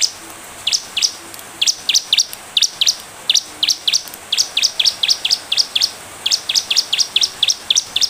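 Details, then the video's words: Bar-winged prinia singing energetically as a lure for other birds: fast run of high, sharply rising chips in uneven bursts, sometimes paired, with short pauses between runs. "Ciblek gacor, pancingan ciblek bahan biar cepat merespon || suara burung"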